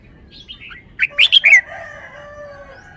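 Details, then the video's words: Red-whiskered bulbul cage bird showing its wild-song style phrasing: soft introductory warbles, then four loud, clear fluty notes in quick succession, trailing into faint sustained tones. "นกกรงหัวจุก 1033 จ้าวมาดี สำนวนดี"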